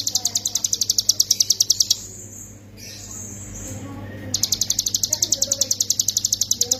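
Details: Hill prinia ngebren song recorded as a master for training songbirds: a fast metallic chipping run pauses for about two seconds of quiet background, then resumes at the same quick, steady pace.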